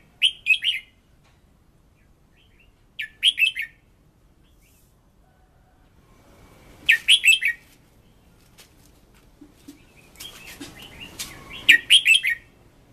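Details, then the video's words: Red-whiskered bulbul song for decoy voice training: brief whistled three-note phrases spaced every few seconds, becoming louder and more rapid toward the end over a background hiss and rustling. "Luyện Giọng Chào Mào Mồi - Chào Mào Giàn Đạt Căng Lửa"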